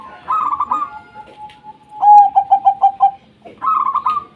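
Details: Local zebra dove singing, played to coax lazy doves into song: bubbly trilled phrases open and close around a clear run of about six loud, evenly spaced mellow coo notes.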